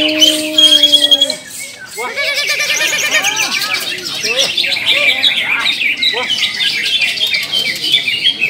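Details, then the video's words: Greater green leafbird at a bird singing competition, a loud, dense run of varied chattering and warbled notes with rapid high trills, following two long steady tones; other competing birds and people's voices in the background. "Class Cucak ijo BBD losgan gantangan"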